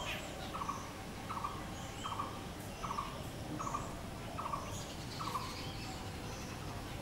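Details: Repeated Blue-throated barbet call: seven clipped, trilled notes at an even pace of roughly one every three-quarters of a second, over soft hiss and scattered faint high chirps.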